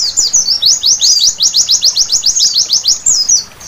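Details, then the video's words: White-eye night song for prompting vigorous singing: a rapid, very high chatter of short sweeping notes, tightly packed and rhythmic, fading out at the end. "Terapi Pleci Malam Hari Bikin Gacor seketika!!!"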